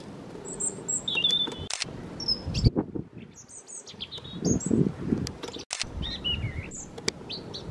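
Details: An English (European) Robin in a holly tree in a North Devon garden sings thin, high, liquid phrases of varied pitch, some warbling and some sliding, over low rumbling background noise.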